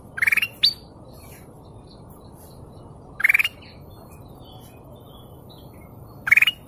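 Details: Canary song as short, dense trilled bursts near the high middle range, three bursts spaced about three seconds apart over a soft steady hiss.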